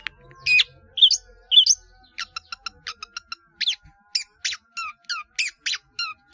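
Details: Long-tailed shrike training song rich in fill-in phrases: three squeaky upslurred notes, then a rapid series of sharp clicking chips speeding into evenly spaced crisp notes nearly twice a second.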